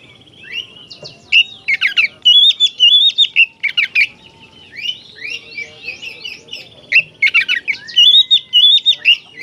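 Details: Energetic 'gacor' song of an oriental magpie-robin, aimed at making kacer aggressive and tail-spreading: repeated clusters of fast, twisting whistles with scratchy, buzzy accents, about two strong bursts with a softer stretch between.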